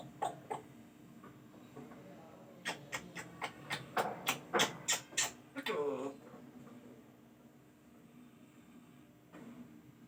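A grey parrot gives a quick run of about a dozen sharp, clicking notes, then a short voice-like phrase, over a faint steady indoor hum.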